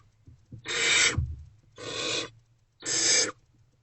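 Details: Barn owl calls inside a nest box at night during food deliveries, early hours of 28 February 2024: three long, harsh, breathy screeching hisses, evenly spaced about a second apart, over a faint low hum.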